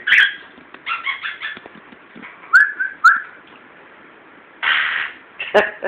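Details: A 14-year-old Timneh African grey parrot (Psittacus timneh), happy after moving into a new house, chatters in bursts and gives two short clear rising whistles while its owner talks nearby in a messy office.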